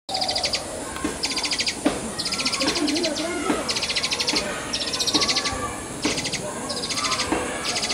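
Indian pied myna begging: harsh, rasping, stuttered bursts, each about half a second long, repeated almost without pause, with faint lower chatter from other birds behind.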